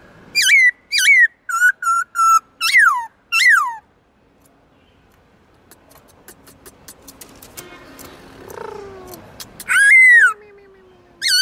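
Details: Black-throated laughingthrush in training, singing many voices to spur wild-caught birds: a rapid series of six clear whistled notes, then a noisy interlude with clicks and a low humming tone, and a final long downslurred whistle.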